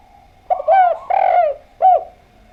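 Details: Actively singing spotted dove. A soft grace note leads into three rounded, descending coos, the middle one long and drawn out. It is used as a lure recording to prompt doves to reply, and the background is quiet.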